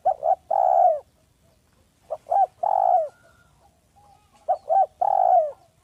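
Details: Lure call of a village spotted dove, smooth and clear: paired short coos leading into a drawn-out warm coo, the phrase given three times in quick succession, with faint short notes between.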